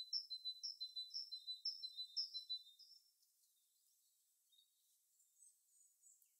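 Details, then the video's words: Small bird singing in winter, a series of high, thin, bright notes repeated about twice a second for three seconds, then near silence with a few faint high chirps. "Bird Sounds In winter"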